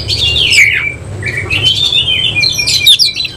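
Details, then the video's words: Oriental magpie-robin of the semi-cililin type, displaying with spread tail. It delivers drawn-out, slurred whistles that fall and waver, mixed with hoarse squeaky notes, over a steady low rumble. "Kacer langsung NEMBAK NGOBRA BUKA EKOR || KACER SEMI CILILIN"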